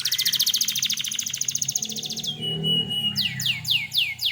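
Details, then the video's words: Canary in full gacor song, used as bait to make other canaries answer: a rapid pulsed trill of about eight notes per second for two seconds, a thin steady whistle, then four loud downward-swooping notes. "suara burung kenari gacor ini paling ampuh untuk pancingan kenari agar Nyaut emosi"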